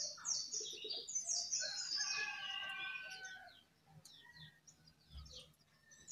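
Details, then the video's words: Jongkangan singing vigorously while perched on top of its cage: a busy, chattering jumble of high squeaky notes and whistles, with a stretch of steady buzzy harmonic notes, fading into sparse chirps near the end. "Jongkangan Gacor Di atas Sangkar"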